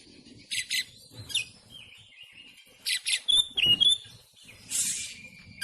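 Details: Oriental magpie-robin in the rapid 'tembakan rapat' style, used as training song for caged birds: scattered short buzzy bursts and thin whistled notes, with a longer rasping note near the end and quiet pauses between.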